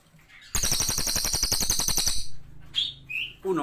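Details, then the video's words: Brown cililin in energetic song: a long, loud buzzy trill of rapid pulses lasting nearly two seconds, then a couple of short whistled notes and a brief low voice-like sound at the end. "CILILIN GACOR"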